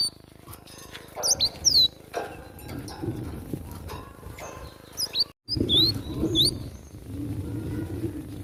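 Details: Wild Java sparrow in fighting mode, making scattered bright chirps and quick down-slurred whistles in short clusters, with a brief dropout midway and a steady low rumble underneath.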